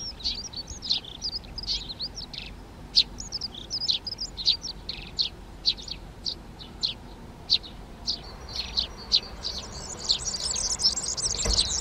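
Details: Eurasian tree sparrows in a Přerov garden, Czech Republic, starting to nest in boxes on 19 March 2020. Repeated sharp chirps roughly every half second give way near the end to a rapid high jingling song in the background.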